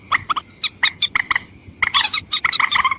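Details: Watercock lure call meant to draw in both females and males: rapid series of short, harsh, nasal notes with bright harmonic bands, delivered in bursts with a brief pause midway and a faint steady hum behind.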